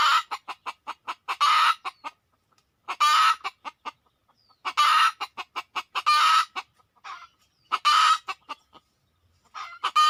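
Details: Red junglefowl drawn in by decoy calling: steady alternation of loud grating squawks and rapid sharp clucks, bursts recurring every one to two seconds.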